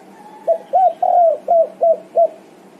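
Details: Spotted dove (tekukur) answering and calling its companions: six short, hollow coos, the first two clipped, the third longer and drawn out, then three more evenly spaced notes over about two seconds; faint low background hum.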